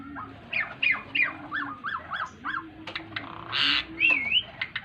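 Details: Singing Asian pied starling, wings flapping, delivers rapid repeated arched chirps about three per second, sharp clicks, a rough harsh squawk and a wavering whistle, with a low hum in the background.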